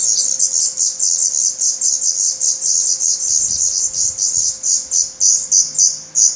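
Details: Hungry Black Redstart nestlings in a nest in Portugal, 17 May 2020, already feathered and losing their down; a dense, high-pitched chorus of hissing, buzzy begging chirps in rapid pulses, about 100 per minute, continuous throughout.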